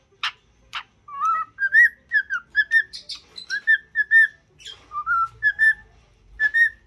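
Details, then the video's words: Happy cockatiel song from a bird trained to sing and talk: two sharp chirps open, then a flowing string of clear, looping whistled notes rising and falling, with another short burst near the end. "تدريب طائر الكوكتيل على الغناء والكلام.Happy cocktaiel singing"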